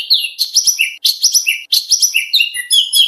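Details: Oriental magpie-robin contest training song: repeated groups of bright chirpy notes with quick upward slurs, bursts recurring about once a second with tiny gaps.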